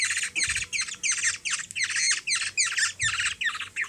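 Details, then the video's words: Steady string of harsh, scratchy squawks, about three each second, from a hungry Black-naped Oriole (kilyawan) in the Philippines as a three-year-old girl feeds it; faint soft thumps underneath. "Hungry bird feed by 3 yrs old girl(black naped oriole)"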